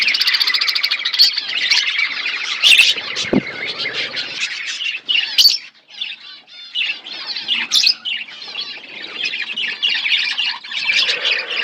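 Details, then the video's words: A feeding budgerigar flock keeps up long overlapping chatter of chirps, squawks and warbles, with occasional knocks and wing rustles and a short lull. "Beautiful budgies flocks birds eating food birds chirping sounds"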